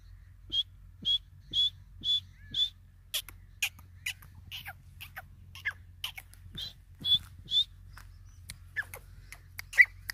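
Grey francolin giving a run of high, shrill whistled notes about twice a second, then a burst of sharper, scratchy clicking notes over a faint low hum.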